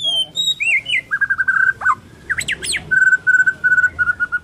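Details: Morning song of a Borneo white-rumped shama: warbled whistles, a brief scratchy burst, then a long steady trill of evenly repeated notes.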